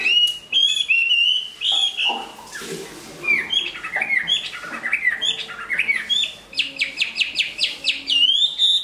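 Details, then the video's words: A large-bodied Chinese hwamei, a strong singer and fighter, pours out loud, rich whistled phrases slurred up and down, ending in a fast run of repeated ringing notes; a brief rustle. "Họa mi bộ to hót tốt"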